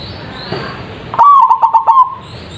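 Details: A single zebra dove phrase played as a lure to prompt answering birds, voiced loudly: a high opening note followed by four or five staccato coos, after a stretch of quiet hiss.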